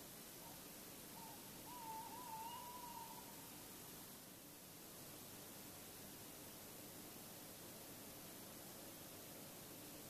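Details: Tawny owl heard in darkness at Bergen, the Netherlands, at 3:43–3:48 a.m. on 16 February 2016; a brief faint note followed by a drawn-out tremulous hoot, then a long stretch of steady background hiss.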